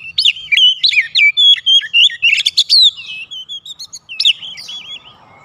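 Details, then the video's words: White-rumped shama song used as a lure to provoke other birds into answering: rich, varied whistled phrases with sharp rising and falling notes and rapid slurred trills, delivered in quick bursts with brief pauses, clear and loud. "PANCINGAN KACER MANAPUN AUTO RESPON NGEPLONG"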